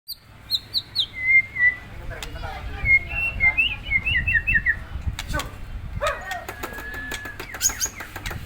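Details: White-rumped shama being provoked into an agitated state: clear whistled notes near the same pitch, given in short groups, then tighter warbled phrases, with clicks, knocks and a steady low hum behind.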